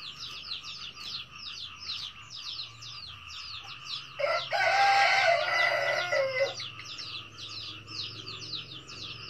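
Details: Red junglefowl giving a crow described as the 'cà lắm' style: one loud, harsh, harmonic crow of about two seconds breaks through dense, rapid, high chirping that continues steadily before and after.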